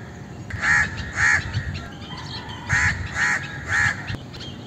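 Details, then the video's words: Indian crow giving five harsh, nasal caws in two bursts, each caw short and hoarse and spaced about half a second apart, with faint chirping of small birds in the background. "Indian Crow Sound"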